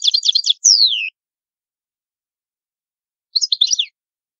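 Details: European goldfinch singing the old-style Palermo Sicilian song: a burst of rapid tinkling notes, a long downward-sliding whistle, a pause, then another brief twittering phrase, with no background noise.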